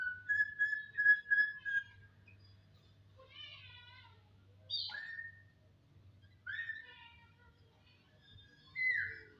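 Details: Jalak (starling) singing: a level whistled note around the start repeated in a steady run, then separate rising and falling whistled phrases with slurred, wavering notes, spaced by pauses, low hum underneath.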